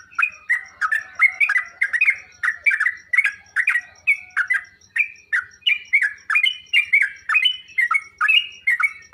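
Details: Training song of a sooty-headed bulbul, meant to prompt other caged bulbuls to reply: fast, lively strings of clipped, slurred notes with rising and falling inflections, delivered in tight bursts one after another throughout.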